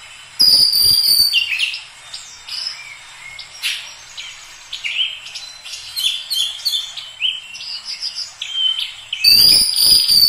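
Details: Oriental magpie-robin song opening and closing with loud harsh scratchy bursts, between them a rambling run of varied whistles, slurred notes and chirps at a brisk, uneven pace.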